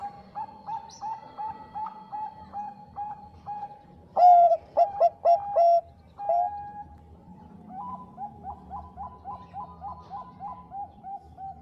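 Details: Bangkok zebra dove master call for stirring rival birds into answering: rhythmic soft coos, a loud sequence of short emphatic notes and a held coo mid-clip, then a fast series of lighter coos from other doves.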